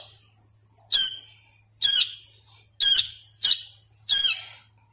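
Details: Hand-fed sooty-headed bulbul chick, still learning to sing: five loud, buzzy, shrill squawks spaced about a second apart, with softer hissy sounds between and a faint background hum.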